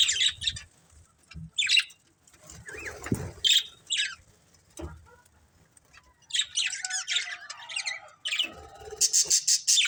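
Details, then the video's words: Colourful budgerigars in a family group chirping: bursts of bright, scratchy high chirps in clusters, a pause of quieter rustling mid-way, then dense chattering runs of chirps toward the end, with faint low thumps beneath. "Cute Colourful Budgies Chirping Sounds"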